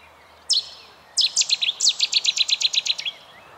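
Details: Cetti's warbler singing: a sharp single note, a short pause, then an explosive burst of about fifteen loud, rapid, ringing notes delivered evenly, the phrase lasting around two seconds over quiet background.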